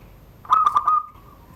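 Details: Zebra dove from Serang, Banten, caged below a door, singing the rare surung gdor style; a loud burst of four quick ringing coos fading into a soft, lingering hum.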